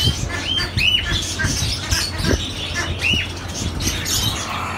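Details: Java sparrows in Oman giving short high chirps and rising whistled notes, with a busy background of other birds, soft squawks and low rumbling noise.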